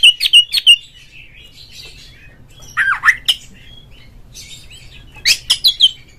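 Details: Oriental magpie-robin sound used as a lure to provoke a rival bird: spaced groups of harsh squawking and short twisting whistled notes, two or three per group, separated by quiet gaps of about two seconds.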